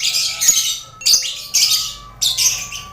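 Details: Colony-kept lovebirds sharing a cage with finches and quail for contest training; three loud buzzy chatter bursts, each fading out, over a faint steady whine.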